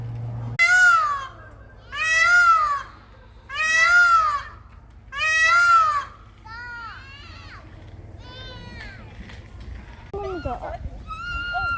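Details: Four peacocks screaming, seemingly set off by children's noise, give loud, nasal, wailing screams about every one and a half seconds; children then imitate them with higher, thinner cries amid background chatter.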